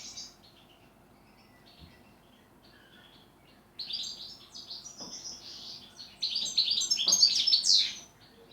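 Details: European goldfinch song in a style described as tight sequences of repeated notes with pauses: after a quiet stretch with a few soft notes, a rapid liquid twittering burst of high tinkling and buzzy notes begins and grows louder.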